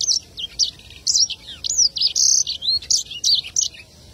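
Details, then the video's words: Black-throated canary singing a fast, high twittering song of sweet slurred notes and trills, several short phrases a second with barely a pause. "burung sanger bird edel sanger or black throat"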